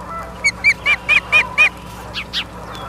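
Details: Osprey at a nest in Charlo, Montana, on 30 August 2023 at 23:23, captured by a live nature cam: six sharp, high whistled chirps in quick succession, then two fainter, rougher notes, over a low steady hum.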